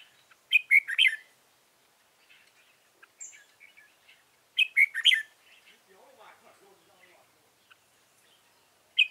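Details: Caged red-whiskered bulbul used as a decoy for trapping wild birds, recorded 15 November 2017: short bright warbled bursts near the start and middle, each under a second, with faint chirps between and another phrase starting at the end.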